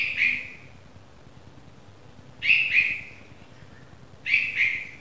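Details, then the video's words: Baby red-vented bulbul, newly fledged, repeating double-noted scratchy chirps, three bursts about two seconds apart, each split into two quick pulses, with little else audible. "Baby Bulbul Bird Sound - Red-vented Bulbul Chick Sound"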